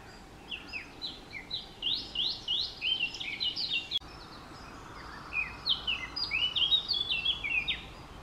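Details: Eurasian blackcap singing: two fast bursts of clear, varied whistled notes sliding up and down, each phrase building in loudness, separated by a short pause.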